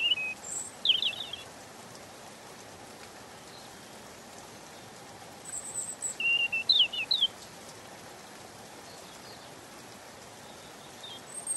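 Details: European robin giving short scattered phrases of thin high notes and quick downslurred strokes, with long gaps between bursts, against a soft constant hiss.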